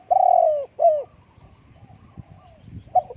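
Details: Spotted dove giving a long falling coo followed by a shorter coo, then faint softer notes and a final brief coo over quiet background.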